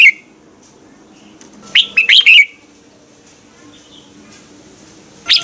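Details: Red-whiskered bulbul in morning singing practice, used as decoy sound for training birds: one short cluster of sharp whistled notes mid-way and a brief note at the end, over a steady low hum.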